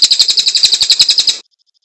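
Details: Cililin singing loudly and sharply, a rapid run of about fourteen bright, high chirps repeated evenly for just over a second, then silence.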